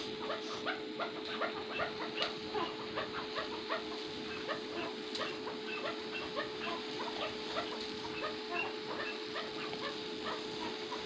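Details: First-cross Maskati chukar partridge calling: short clipped notes repeated rapidly and steadily, about two or three a second, over a constant electrical hum and background noise.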